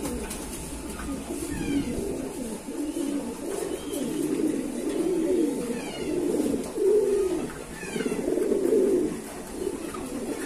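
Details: Kept pigeons coo repeatedly, giving low, burbling phrases about every two seconds that grow louder toward the end, with faint higher chirps and a soft hiss behind.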